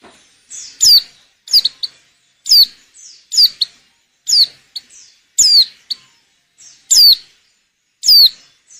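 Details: Female white-eye in breeding condition, calling to make males sing, used for luring: loud, sharp whistled notes sweeping steeply down from very high pitch, given roughly every second, with faint softer notes between them.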